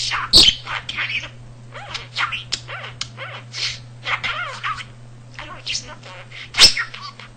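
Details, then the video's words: Pet male budgerigar talking indoors at home, a bird that picked up words by listening and knew almost 300 words and sentences; sparse high, chattering speech-like bursts with two sharp loud clicks and a steady low hum underneath. "Kenny The Talking Budgie"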